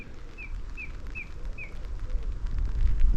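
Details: A song thrush (Turdus philomelos) in a tree on a windswept coastal climb to Golden Cap, Dorset, repeats one short, bright, slurred note about five times in quick succession against strong gusting wind.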